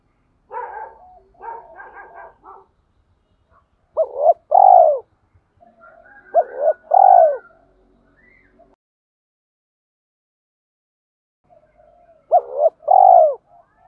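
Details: A decoy spotted dove gives calling and urging coos to train newly caught doves. Rapid stuttering notes open, then three clear phrases of a short double note and a long falling coo repeat at intervals, with soft murmurs between them.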